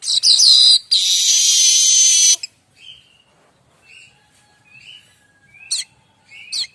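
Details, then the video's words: Streaked weaver song used to train other songbirds: a loud, long, harsh buzzy rattle, then quieter rising whistles and short sharp buzzy bursts spaced about a second apart. "Kicau manyar variasi mantab"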